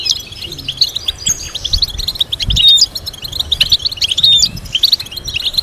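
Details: European goldfinch melody from a breeders' tutoring recording: lively run of clipped chirps and liquid twitters, repeated in rapid strings, with a few thin whistled notes mixed in.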